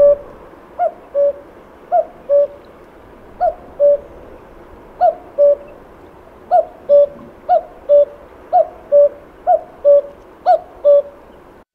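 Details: Common Cuckoo in Portugal, its song heralding spring: a steady run of about ten soft, hooting two-note phrases, each a higher note falling to a lower one, repeated every second or so over a quiet background.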